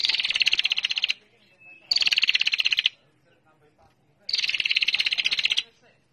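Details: Female bar-winged prinia lure call, described as lively and trilling and meant to stimulate birds into calling: three bursts of rapid, evenly ticking high notes, each lasting about a second, separated by short quiet pauses.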